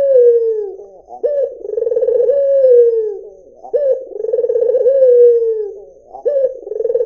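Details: Steady, low cooing by a white Barbary dove, about three phrases running almost without pause, each a quick upward note, a trilled, throbbing stretch and a smooth sliding fall.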